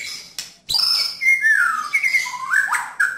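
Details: White-rumped shama giving a rough and clear 'nembak' song, used to help another shama that has stopped singing; loud whistled phrases glide and slur between middle and high pitches, with sharp clicks at the start.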